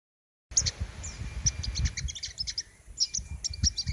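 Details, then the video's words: A spotted (trotol) "king konin" sunbird in full continuous song gives a rapid run of thin, very high chirps and sharp tinny notes over a low rumbling background. "Burung "KING KONIN" Trotol Gacor Ngerol"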